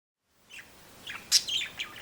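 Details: Two budgerigars chirp outdoors with short, bright, scratchy chirps in quick bursts, amid strong wind in the trees.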